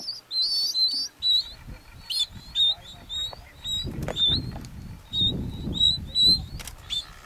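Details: A Galapagos mockingbird (Mimus parvulus bauri) on Genovesa, Galapagos, Ecuador, in May 2012 sings a steady run of short, varied, high chirps and whistled notes, several each second, over some low rustling thumps.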